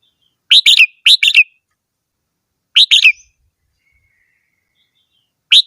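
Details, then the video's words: Red-whiskered bulbul song: bouncy two- and three-note whistled phrases, repeated in quick pairs and then after longer pauses, clear and loud over quiet background. "chim chào mào hót - tiếng chim chào mào hót"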